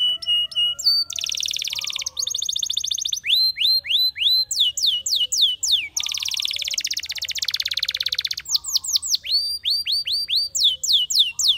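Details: Spanish Timbrado canary song alternating metallic clipped notes, dense rolling trills, series of rising whistles and quick falling slurs, continuous and varied throughout.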